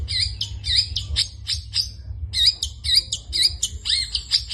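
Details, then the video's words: Long-tailed shrike singing vigorously in 'isian' style. Sharp repeated chirps with curved slurs, a brief pause midway, then the rapid series resumes, with a low hum underneath. "burung pentet gacor full isian"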